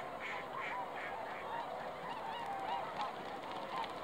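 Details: Swans calling on a foggy lake on 20 December 2016; a handful of short, nasal honks, some in quick pairs, scattered through the clip against a constant low hiss, with fainter calls further off.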